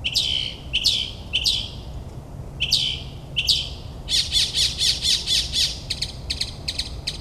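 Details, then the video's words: Mockingbird performing at midnight in New Jersey suburbs, mimicking other species: five separate harsh downslurred calls, then a rapid run of rasping buzzy notes, tailing off into lighter chips. "Moonlit Melodies - Mockingbird's Nocturnal Performance in NJ"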